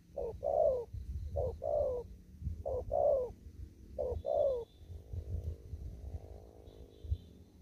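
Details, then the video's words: Kon Tum spotted dove in the field cooing 'thúc gù': four quick pairs of hollow notes, brief then drawn-out and falling, then a low murmuring hum and a faint high distant chirp. "Cu Gáy. Đồng thúc gù. ( chim còn ngoài rẫy ae xem vui )"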